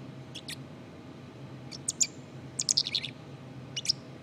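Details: Black-capped chickadee subsong: soft, high-pitched chips and thin twittering notes in small irregular clusters, a quick flurry near the middle, over a low steady background hum.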